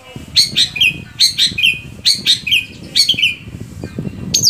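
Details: Long-tailed shrike, heard as a lure to make others sing: phrases of three or four rapid, scratchy chirps that descend in pitch, repeated about once a second over low background noise.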